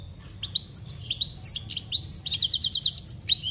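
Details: European goldfinch singing, "campero" song recorded in 2021: lively high-pitched twitter of quick chirps leading into a rapid repeated buzzy trill, then more liquid notes, with low background rumble.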